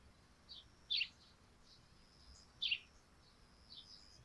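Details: Sparrows calling from a thatched roof under morning dew: two distinct bright, high chirps about one and a half seconds apart, with softer faint chirps before, between and after.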